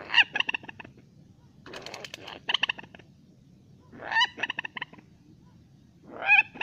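A rail gives four harsh, cackling bursts of rapid clucking notes, each about a second long and coming every one to two seconds. Nothing else stands out.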